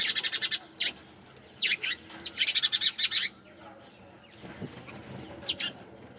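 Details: Quick strings of sparrow chirps, each note sharp and high, come in clusters with pauses, ending in a few sparse single chips.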